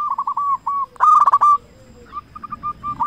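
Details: Local zebra dove with a strong voice, used as a lure to make other zebra doves sing: a series of short coos, then one loud rapid trilled phrase, then more evenly spaced soft coos.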